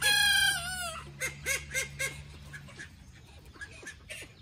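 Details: A young Porcelain d'Uccle rooster, just starting to get his voice, gives a short, strained crow that sags in pitch, then a run of quick clucks that fade, over a faint low hum, with call ducks and other roosters in the background.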